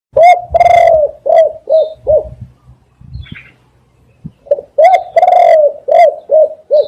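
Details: Spotted dove cooing loudly and clearly: two phrases separated by a pause, each a few short hooting coos, then a long drawn-out coo, then further short coos. A brief faint high whistle sounds in the background.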